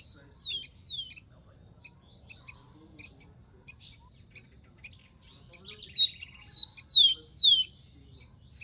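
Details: Wild rufous-collared sparrow: two falling whistles open, then a long stretch of scattered high chips, a brief trill, and a strong ending of a level whistle and two loud descending slurs.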